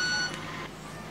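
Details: A club-winged manakin (Machaeropterus deliciosus), which calls its mate with sound made by flipping its wings, makes a single pure, ringing violin-like tone lasting about a third of a second before fading into quiet background hiss.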